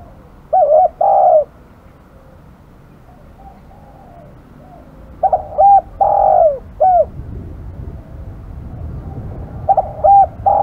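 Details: Spotted dove, described as aggressive, giving loud cooing phrases: two short notes then a long drawn coo, the pattern repeated three times about every five seconds, with faint distant coos between.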